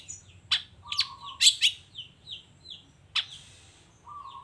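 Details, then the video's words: Long-tailed shrike heard in the morning, quieter here: a few sharp, scratchy notes and short whistles spaced by pauses, with a thin sustained tone at the start and again near the end. "Suara Cendet Gacor Di Pagi Hari Toet Toet Bongkar Materi"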